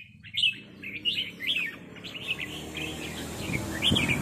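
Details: A red-whiskered bulbul gives short, clear, slurred chirps repeated roughly every half second as it answers a resident territorial bird, over broad background noise.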